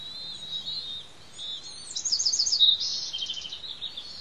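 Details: Bald Eagle nest at Pelican Harbor on Santa Cruz Island with two eaglets being fed: faint thin whistles give way to a rapid, chittering burst of high pulsed notes, then quieter trailing calls.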